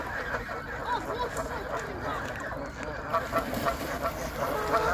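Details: Canada geese fighting, giving harsh overlapping honks and squawks in a busy noisy scene, with a steady low rumble beneath and some voices mixed in.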